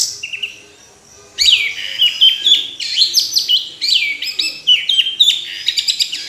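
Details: Orange-headed thrush singing continuously after a brief quiet start: a rapid stream of varied whistles, up-and-down slurs and chips packed closely together.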